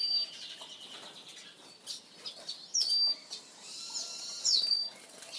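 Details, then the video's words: Male Red-fronted Serin (Serinus pusillus) giving two high chirping phrases, each a jagged, buzzy flutter sliding into a brief level whistle, about one and a half seconds apart, against background rustling and fluttering. "Red-fronted Serin male"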